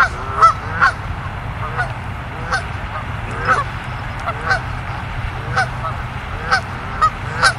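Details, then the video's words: Canada geese in Maryland, honking as they fly over a house, giving a steady series of about two nasal, two-part honks each second, rising then dropping, over a low background rumble. "Goose Sounds"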